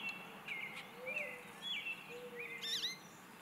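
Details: American goldfinch perched in an Eastern Red Bud tree, singing a run of short twittering, slurred whistled phrases, some rising and some dipping, ending in a brighter warbled flourish; a faint low hum runs beneath.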